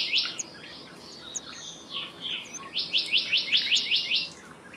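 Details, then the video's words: Black-naped monarch singing a brisk, regular series of about seven clear, descending notes, preceded by a brief opening note. Soft calls from other birds are heard in the background. "Black-naped Monarch Song! Black-naped Monarch Call! Black-naped Monarch Sound"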